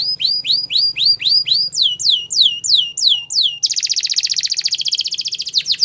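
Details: Belgian canary song: hooked whistled notes repeated quickly, then slower loud falling slurs, then a dense fast rolling trill that holds to the end.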